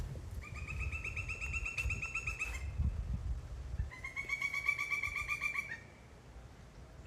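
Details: Wild pileated woodpecker, one of two present, calling from a pine tree on a morning in Ocala National Forest beside a lake: two rapid runs of evenly repeated, ringing notes, each lasting about two seconds, over a low background rumble.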